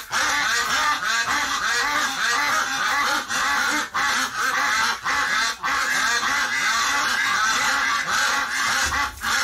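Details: A flock of ducks freaking out after one of them died in the hospital, November 30, 2018: loud, nonstop overlapping quacking and nasal honks from many birds, forming a thick chattering din.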